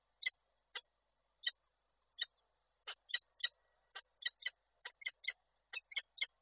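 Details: The female peregrine falcon calls at her Koszalin nest in Poland on 28 January 2024 as the male visits. Widely spaced harsh notes at first quicken into a run of rasping doublets.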